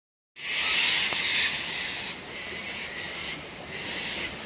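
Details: Cockatoos at Tanninaba Falls, Springbrook, on 19 May 2024, coming for their daily sunset drink at the waterfall: a harsh, broad screech lasting over a second, then fainter rasping calls against steady rushing water.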